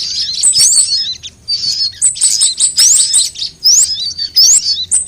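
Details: Sunbirds of different kinds, played as a lure to attract birds and spur singing: sharp upward-sweeping whistles and high sibilant chirps in separate bursts, with short gaps between phrases.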